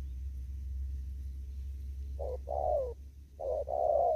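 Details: After about two seconds of quiet low rumble, a wild spotted dove from Kon Tum, Vietnam, delivers two đồng thúc gù phrases, each a short note then a longer mellow coo sliding downward.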